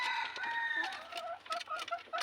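Red junglefowl giving a drawn-out, harmonic crowing note for nearly a second, then a quick series of short clucking notes about every quarter second.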